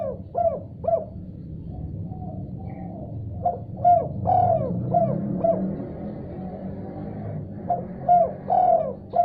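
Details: Spotted dove (tekukur) calling in reply to another call: runs of soft, hollow coos with a longer drawn note mid-phrase, separated by pauses, over a noticeable low rumbling background.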